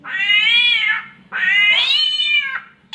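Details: Samyong bird producing a cat's mating call imitation: two long, loud, harmonic yowls, each rising then sagging in pitch, separated by a short pause.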